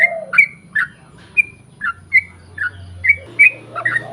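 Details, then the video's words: Bubbly whistled phrases of a yellow-vented bulbul, a lure recording to get birds of its kind to answer: clipped upslurred notes at an uneven pace, some doubled, with a deep droning hum underneath and soft lower notes at the start. "KICAU SUARA trucukan gacor ROPEL PANJANG pancingan trucukan agar bunyi"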